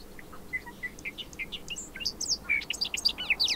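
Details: Bobolink singing a rapid, bubbly tumble of tinkling, metallic notes that start spaced and quicken into a dense, jumbled burst toward the end, over a quiet background.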